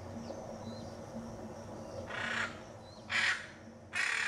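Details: Pantanal, Brazil: a Hyacinth macaw utters three coarse squawks in the latter half, the first softer, the last two loud and abrupt, after quiet low background noise.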